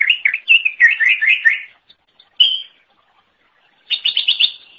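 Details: Greater green leafbird singing energetically, recorded as training material for songbirds: a fast run of warbled, slurred notes, a pause, a single clear whistle, then a quick burst of high repeated chips.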